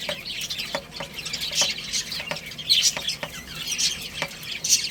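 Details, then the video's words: Little chicks playing and eating, a continuous wash of very high, faint peeping with sharp pecking taps recurring roughly every half second. "Cute Little Chicks Chirping Sounds| Baby Chicken Playing and Eating"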